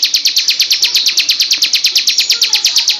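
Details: A loud ngebrem-style song from a female bar-winged prinia used for song training: rapid, evenly spaced high ticking notes that each slide downward, continuing throughout.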